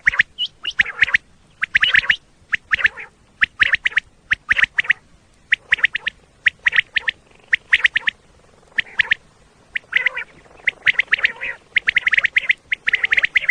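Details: Common quail calls used as a hunting lure in Pakistan: sharp, clipped notes in quick groups of two or three, repeated steadily throughout, with occasional nasal, buzzy bursts between groups.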